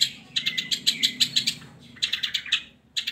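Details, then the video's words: Long-tailed shrike song played to coax lazy shrikes into singing: rapid bursts of harsh, scratchy chattering notes in quick series, a brief pause, then more chatter, over a low steady hum. "Pancingan Buat Burung Cendet"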